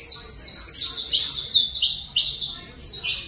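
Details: Colombian saffron finch producing a rapid chain of high, sliding notes that drop in pitch, ending with a few separated phrases.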